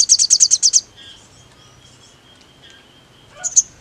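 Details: Sogon, the crimson sunbird, in a lure song to provoke rivals: a brief rapid trill of about seven high buzzy notes, then near quiet with a faint thin tone and a final pair of sharp chips.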